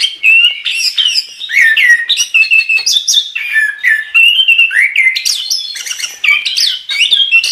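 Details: Rich, continuous chestnut-capped thrush song in the 'gacor' style meant for training songbirds: fast mixtures of slurred whistles, chirps and squeaks, each phrase jumping to a new pitch, with a clean background.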